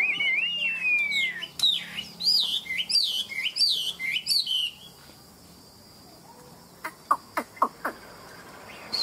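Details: Tame Chinese hwamei with a "ngũ trường" five-part song, said to fight well: a long falling whistle, then looping rising-and-falling whistled notes repeated about once a second, followed by quiet and a few sharp clicks.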